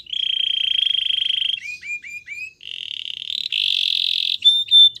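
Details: Belgian canary training song: a long rolling trill, then hooked whistled notes repeated about every quarter second, followed by higher rising rolls and a clear pure whistle.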